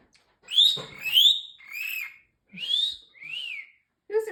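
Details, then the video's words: Pet talking parrotlet, a male that says phrases such as peekaboo, excuse me and a fake cough, gives a run of five clear whistled notes rising and falling, each about half a second long, indoors in a quiet room. "Talking parrotlet"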